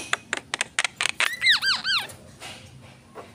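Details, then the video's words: A Javan myna lets out a quick run of sharp clicks, then three arched, rising-and-falling whistled notes in quick succession before trailing off into soft scratchy sounds. "jalak kebo gacor"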